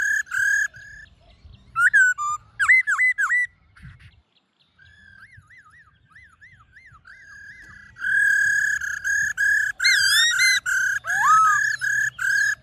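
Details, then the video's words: Forest-style song (giọng rừng) of Black-throated laughingthrush, used to lure wild birds and train caged ones: loud rich phrases, a quiet run of wavy warbled notes, then a rapid burst of loud sustained whistles with swooping notes. "Khướu Hót GIỌNG RỪNG - RÉO GỌI BỔI"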